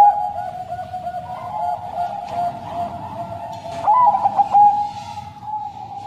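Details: Caged Bangkok crossbred zebra dove giving its long, sad-toned song. A short, bright flurry of rapid coo notes near the end stands out over steady background cooing.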